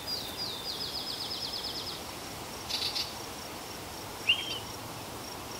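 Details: Rapid series of around a dozen short, evenly spaced descending notes from a yellow-breasted chat, then a harsh burst and a single bright rising note, over a steady high insect drone.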